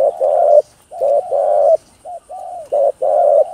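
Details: Spotted dove (cu gáy, cu đất) cooing, with gáy gọi, thúc and gù styles, used to stimulate other doves. Deep, mellow coos in short and long notes, about seven in under four seconds, some clipped and soft, over a faint steady high hiss.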